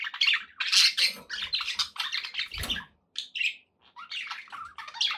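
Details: Pet budgerigars in company, chattering in quick bursts of scratchy warbled notes and chirps, broken by short pauses, with a soft low thump near the middle.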